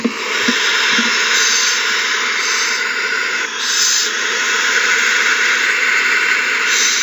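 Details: Frenzied owls at a nest after a mouse is delivered from one bird to another, March 21, 2020. Continuous loud, breathy hissing throughout, with a few soft knocks at the start.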